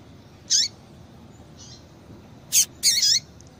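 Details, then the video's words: Female Double-collared Seedeater calling to stimulate males: one high chip with a dropping tail, a pause, then a quick pair of sharp high notes close together. "Piado de Fêmea de Coleiro Com Piado de Fêmea de Coleiro Quente para Esquentar Coleiro tui tui"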